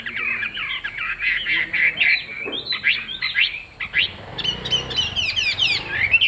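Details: Chinese hwamei in captivity. It produces fast, choppy bursts of high, scratchy and whistled notes in short groups, with some low background rumble.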